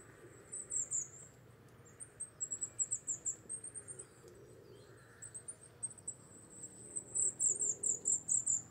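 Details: A wintering Wallcreeper in Czech rocky habitat gives several groups of quick, shrill, very high chirps, each run of four to eight notes separated by brief pauses, against low background noise.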